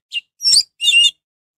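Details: Orange-headed thrush singing to provoke other birds of its kind to answer: one short high chip followed by two longer, rich, slightly buzzy warbled bursts in quick succession, then silence.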